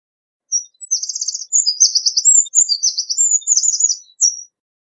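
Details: Eurasian wren song: a rapid, loud outpouring of high, metallic notes and fast trills, with varied phrases tumbling over one another for about four seconds against a silent background.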